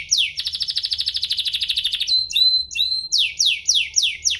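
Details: Canary song meant to stir other canaries into singing: a long fast trill of pulsed notes, two clear sustained whistles, then a string of steep descending sweeps.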